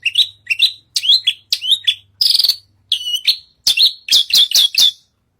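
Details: Branjangan, or Australasian bush lark, in full song while up on a stage, delivering a varied series of short upslurred whistles and buzzy notes, one brief harmonic-rich trill, then rapid clipped chirps, with a faint low hum beneath.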